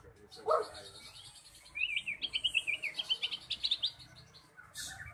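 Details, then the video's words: Magpie-robin singing on a lure recording meant to get silent birds singing; a rapid run of high, buzzy, wavering notes repeated in a quick series after a brief lower burst, over a faint hum. "Pancingan Burung Murai Macet Jadi Gacor"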